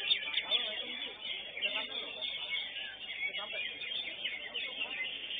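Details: Greater green leafbird competing in class 5 of a songbird contest, placing second, pours out a rapid, high, chattering song of varied notes amid crowd murmur and other songbirds.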